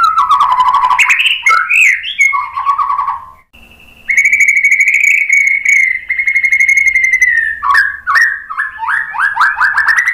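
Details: White-rumped shama song played as a lure to prompt birds to answer. Rich, loud and varied phrases: fluty slurred whistles, a long sustained whistle held for about three seconds, then rapid descending warbled notes. One short pause.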